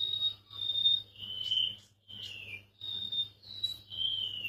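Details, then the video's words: Golden-bellied gerygone delivering thin, high, sustained whistles alternating with shorter notes that dip sharply downward, phrases repeating in quick succession with a short silence midway; a constant low hum runs underneath. "suara burung remetuk laut"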